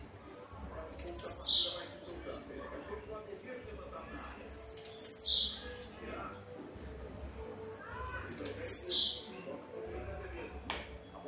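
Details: A male blue-black grassquit, the only one singing while the others are in moult, gives a short, high, buzzy song burst about every four seconds.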